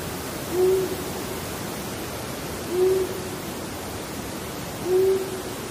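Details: A Long-eared Owl (eastern United States) gives its call, a series of spaced-out, low "who" hoots: three soft, brief hoots evenly spaced about two seconds apart, over a steady background hiss.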